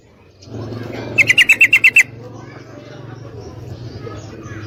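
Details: Yellow-vented bulbul, a female calling a male to mate, gives a quick series of seven clipped chattering notes over a steady low hum that continues afterward.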